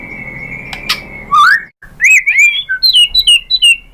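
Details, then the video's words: Provoking song of a white-rumped shama: a steady whistle with two clicks, a rising sweep, a short break, then a quick series of bright descending whistled notes repeated about every quarter second. "Bikin GACOR ‼️ MURAI BATU jadi EMOSI NYAUT BONGKAR ISIAN ¦ PANCINGAN MURAI ¦ SHAMA BIRD"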